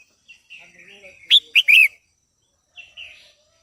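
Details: Female red-whiskered bulbul singing to stimulate males: a short burst of bright, bubbling whistled notes, with softer warbled phrases before and after; no other sounds.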